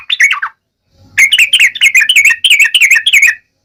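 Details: Sharp ngalas-style song of a yellow-vented bulbul, used to get other bulbuls singing back. A brief falling phrase, a pause, then a lively string of rapid, rolling chirps about three per second.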